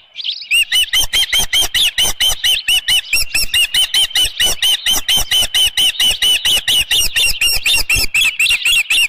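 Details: Osprey at a nest on Dunrovin Ranch with a headless fish, 10 June 2018, 6:41 PM: loud, piercing whistled chirps repeated rapidly, about two per second, in a steady run with a slightly rising inflection.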